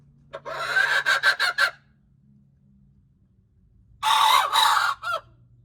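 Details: Crowing hen on January 21, 2025 gives two harsh, broken bursts. The first is a choppy run of about five pulses over roughly a second, then a pause before a second rasping phrase of similar length, over a constant low hum.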